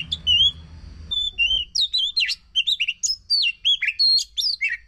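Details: Oriental magpie-robin song used as a lure for a silent bird: it opens with a few drawn-out whistles over a low hum, then bursts into quick, varied chirps and sliding whistles.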